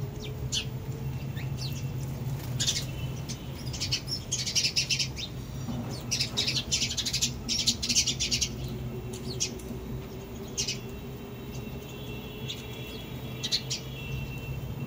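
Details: Sparrows chirping: short high bursts of chirps clustered in groups, fairly faint, over a steady low background hum.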